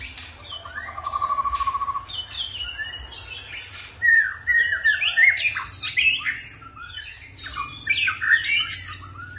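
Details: White-rumped shama in 'forest voice' song with voice switching; a steady buzzy trill opens, followed by a dense jumble of quick whistles, sharp chips and rising slurs, with faint low background hum.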